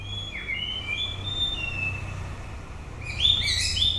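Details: End-of-breeding-season song of a white-rumped shama: long smooth whistled notes gliding down then level, followed by a burst of rapid high twittering, with faint low hum beneath.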